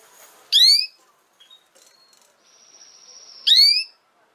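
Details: Canary sound used for teaching young canaries to sing: two strong, ringing downward-sweeping chirps three seconds apart. Faint high whistles and soft rustling come between them.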